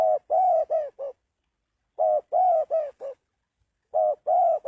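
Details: Repeated cooing of a spotted dove: phrases of four to five throaty notes, the final one clipped, returning roughly every two seconds.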